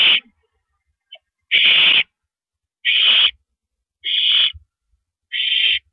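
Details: Night recording at an owl nest, 6 April 2012, as a male delivers rabbit prey: five loud, hoarse hissing screams about a second apart, with soft knocking and shuffling noises in between.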